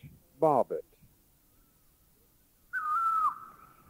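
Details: Great Barbet, recorded in a Thai national park (Khao Yai, Doi Inthanon, Doi Suthep-Pui or Chae Son), giving a loud, drawn-out wailing note that holds level then dips, with a second note starting; a man's voice is heard briefly first.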